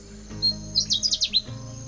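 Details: A Pale-footed Bush Warbler sings from dense cover on a mountain in northern Thailand in the rainy season, calling from the same spot for an hour: a thin, high lead note, then a quick burst of five sharp, high notes, over a low hum.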